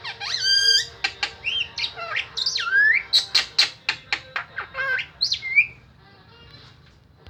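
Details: Strange, melodious starling song mixing swooping whistles, squeaky slurs and a fast series of sharp clicks, followed by a final upward-sweeping whistle, then quiet.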